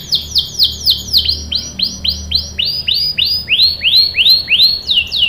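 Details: Canary singing as a lure to set off young canaries: loud, clear, high notes that swoop downward, repeated about three times per second, starting quick and slowing slightly, ending with faster paired notes.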